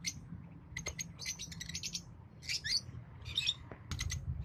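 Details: Shrill, squeaky chirps and fast twittering bursts from a green Fischer's lovebird pair, a few sharp clicks among them, over a low background rumble.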